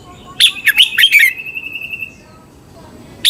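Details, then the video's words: Song of a red-whiskered bulbul in Thailand, played to train or stir up caged birds: a single cheerful phrase of about five warbled notes ending in a drawn-out steady whistle, then a new phrase beginning. "เสียงนกกรงหัวจุก สำหรับต่อ หรือ เปิดให้นกคึก เสียงเพราะๆ"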